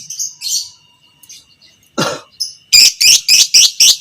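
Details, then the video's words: Biola pb creamino fighter lovebird recorded as a master for teaching other lovebirds: soft squeaky chirps, a broad rasping burst, then a loud fast series of about six shrill piercing notes. "Masteran Burung Lovebird Fighter Ngekek panjang - Suara Burung lovebird biola pb creamino"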